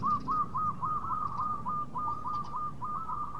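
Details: Local zebra dove singing as a lure to bring quick replies from rivals: a quieter, even series of short hooked coos about four per second, over a low background hum.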